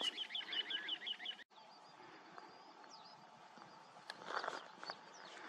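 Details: A little ringed plover on the bank of the Cheptsa River, on a warm sunny morning of 10 May at 7:30, gives a quick run of high, piping whistled notes for about a second and a half. Faint distant chirps and a low hum follow.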